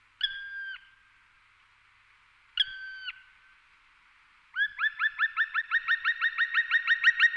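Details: A male black woodpecker in the mountains of León, Spain, in April 2019 gives two long, plaintive, drawn-out notes, then a fast, ringing series of rising 'kwee' notes, about five per second, growing louder.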